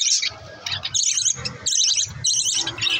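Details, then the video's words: Green lovebirds chatter in harsh, high chirps and squeaky twitters, in dense bursts about every half second with little else heard. "green love birds sunds"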